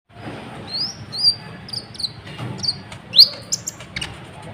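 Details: Agitated caged sunbird singing nonstop, used by bird keepers to make other birds sing along; sharp thin notes rising and falling at very high pitch, spaced irregularly, over a low rumbling background.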